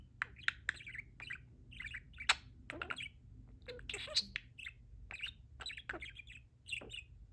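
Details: Talking parakeet kept as a pet, chatting with the people who keep it: rapid gravelly babble of buzzes, sharp ticks and short whistled notes in bursts, over a quiet indoor hum.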